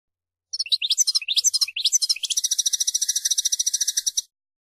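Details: European goldfinch in a powerful burst of song: several fast tinkling, rising phrases, then a long, even, buzzing trill of rapidly repeated high notes lasting about two seconds before stopping abruptly.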